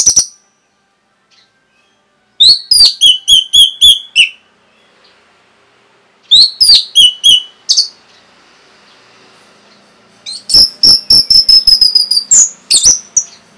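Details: Orange-headed thrush, a kept bird, singing its rapid 'rapet' song to rouse other birds: short phrases of strongly repeated sharp notes, about seven per phrase, separated by pauses, ending in a long fast rattle of ringing high notes.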